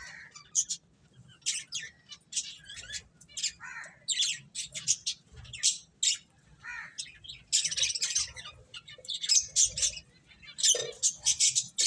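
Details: Finches chirping as they eat, a series of separate sharp high chips and short squawky notes, growing denser and louder in the second half.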